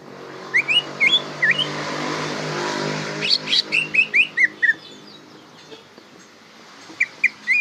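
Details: Greater green leafbird song used to teach young birds that are learning to sing: clear, rising and hooked whistled notes given singly, then a quick varied series, with a soft noisy hiss in the background.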